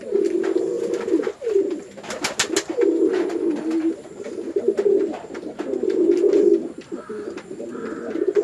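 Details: On a village pigeon farm in Chittagong District, Bangladesh, male and female pigeons fight: steady, loud low cooing runs nearly throughout, with a burst of rapid clattering partway through.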